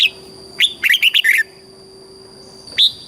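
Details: Caged red-whiskered bulbul song, southern Thai style, for stimulating birds: one quick phrase of a rising whistle and four bouncy warbled notes, then a single whistled note after a pause; constant high hum.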